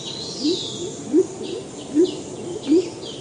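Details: Salvadori's Pheasant, endemic to Sumatra's highlands, giving deep contact calls: short low upslurred notes repeated about every 0.7 seconds, with thin higher chirps of other birds in the forest behind.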